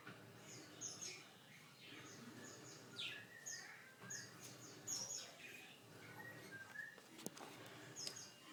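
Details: Canary singing what is described as a unique song: scattered high, thin chirps and quick sweeping notes, some in short clusters, over a steady background hiss, with a sharp click near the end.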